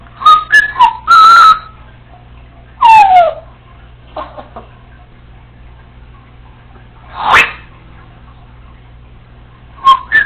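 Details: Female Congo African Grey Parrot kept as a pet, left alone at home, mixing sharp whistles, a falling whistled note, clicks and a rasping squawk with quiet gaps between.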